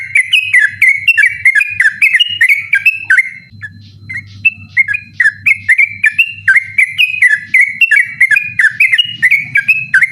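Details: Sooty-headed bulbul in persistent night song, recording meant for training other birds: dense fast whistled phrases, a short break near the middle, then the rapid chain resumes, with low hum underneath.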